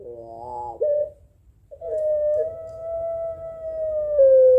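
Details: Barbary dove of the puter pelung kind challenging a rival: a quavering, wavering opening, a short pause, then a very long, even, sustained note that drops at the finish.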